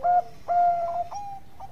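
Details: Bangkok-type zebra dove singing energetically, kept as a tutor recording for training other birds: a few short, soft coo notes, the second drawn out and level, ending in a brief lower hoot, over a faint hiss.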